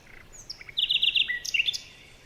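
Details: A brief burst of morning forest chirping: a quick string of bright, clipped high notes, then a downward slur and a few sharp twitters.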